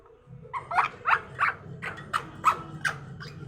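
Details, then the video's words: Parrot vocalising in the morning, a quick series of about eight short harsh harmonic syllables, roughly three per second, over low background rumble. "morning orijnal telking parrot"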